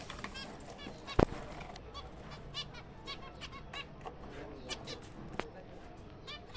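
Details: Zebra finch breeding colony, kept birds, in April. Nasal, harmonic calls come one after another throughout, and a sharp knock at just over one second stands out.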